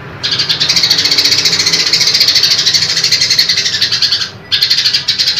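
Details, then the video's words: Loud rasping 'tembakan' of a female grey-cheeked bulbul calling a male: an unbroken four-second run of rapid harsh pulses, a short pause, then the chatter starts again. "Tembakan Cungkok Betina Keras Kasar Panjang"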